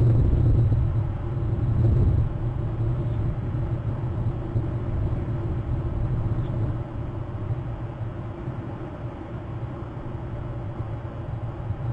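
Only a steady low rumble like passing vehicles or wind is heard, with no animal calls.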